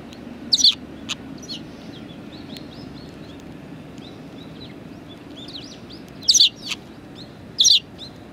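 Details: Sparrows at a Tenmangu shrine on 23 January 2019 give loud, high chirps, a pair at the start and more near the end. Softer, rising twittering calls run through the middle, over a low background hum.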